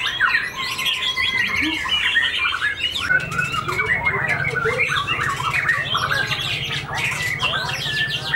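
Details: Caged white-rumped shama, a white-tailed competition bird just past its moult, pouring out a rich, rapid mix of whistles, chatters and rasping notes, with a steady low hum and faint voices in the background.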